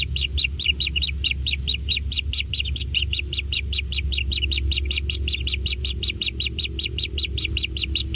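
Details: Natural kingfisher nest with chicks being fed: a long, rapid, very even series of high chirps, roughly five per second throughout, with low rumbling noise beneath.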